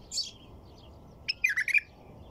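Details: A soft, high twitter is followed by a white-eared bulbul's lively phrase of several rapid, gurgling notes rising and falling in pitch.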